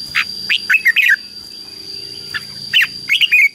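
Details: Red-whiskered bulbul song used to call wild birds and excite a decoy bird: short bright warbled phrases, rising and falling, in bursts with brief pauses, a steady high electronic tone running throughout.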